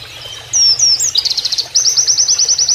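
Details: Canary-like 'nembak' phrase from an Oriental white-eye used to train other birds: looping high whistles, a short burst of quick buzzy notes, then a steady, fast, high trill.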